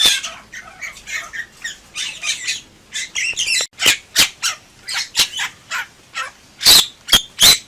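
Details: Energetic Bali myna song, delivered gacor style: a long string of chattering, grating notes, later giving way to evenly spaced loud harsh calls about every half second.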